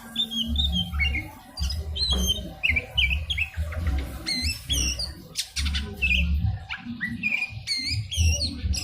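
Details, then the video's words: Oriental magpie-robin song played as a lure to get other birds singing: rapid, varied whistles, squawks and chirps over a loud, pulsing low musical beat. "pancingan Kacer, dijamin burung ikutan gacor.."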